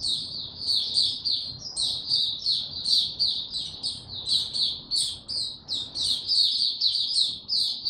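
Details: Caged white-eye's song, recorded 29 April 2022 with no supplements given, in a low-energy state: continuous high, thin chirps and trills, closely strung together at a steady pace, over soft low room noise.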